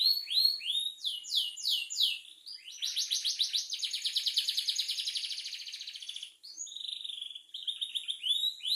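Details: Canary singing energetically: clear descending whistled sweeps, then a long rolling trill of rapid high notes for several seconds, ending in more falling and rising whistles, steady and unbroken with no other sounds.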